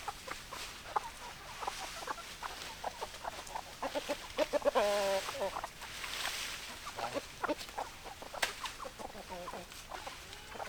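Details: Hens clucking in a busy flock: many low, short clucks overlapping throughout, one drawn-out tonal cackle in the middle, over a steady noisy background.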